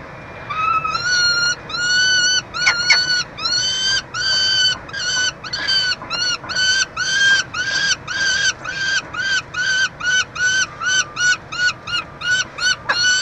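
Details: At a nestbox at the University of Montreal, Canada, 22 June 2023, peregrine falcons call during chick feeding: harsh wailing notes that quicken into a fast chattering run, with constant background hum.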